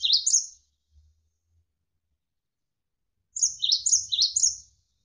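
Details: Javan sparrow (gelatik wingko) tutor song, described as having rapid, closely packed bursts. A short falling chirp is followed by a long silence and then a quick run of four high, down-sweeping notes.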